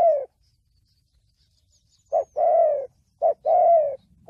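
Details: Spotted dove call of the thổ bầu style, used for trapping and training decoys: a short note followed by a long, slightly falling coo, repeated twice after a pause, in an otherwise quiet setting.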